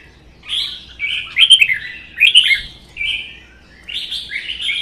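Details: Red-whiskered bulbul in a Vietnamese singing contest between a captive-bred bird and a wild-caught adult, both caged; a few loud, liquid whistled phrases, the middle ones sharp and emphatic, then a softer closing warble.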